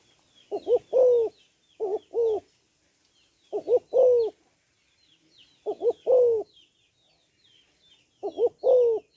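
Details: Female spotted dove calling to stimulate males: low mellow coos in two- or three-note phrases, a short double note then a longer falling coo, repeated about every two seconds, with faint high chirps of small birds behind.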